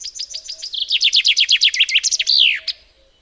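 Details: Chaffinch song phrase: clear, high, descending chip notes repeated quickly, shifting into a brisk rolling trill and finishing with a sweeping downward flourish, close and loud against a silent background.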